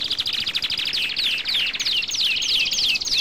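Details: European goldfinch singing, second of three birds heard one after another: a fast, continuous twittering of bright high notes with repeated quick downslurred whistles about every third of a second.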